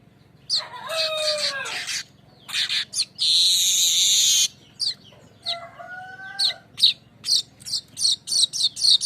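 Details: Streaked weaver lure song, 'besetan ngerol' style: lower descending whistled slurs with sharp chips, a long harsh sizzling buzz in the middle, then a quickening series of short, clipped high notes.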